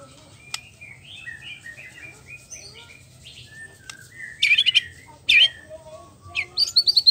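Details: White-rumped shama, a contest songbird, singing: soft warbled whistles at first, then loud bursts of rapid high trilled notes, a sharp click, and a final rising whistled flourish.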